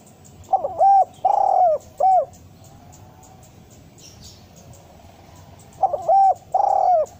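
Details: Spotted dove lure call, described as a female-attracting calling style: two phrases of clipped lead notes, a sustained burry coo and a downward-curving end note, separated by a long pause with faint rustling.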